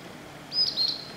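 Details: Blue-and-white flycatcher singing from a treetop in a waterside forest after rain in spring; two short, high clear whistled notes in quick succession over faint background hiss.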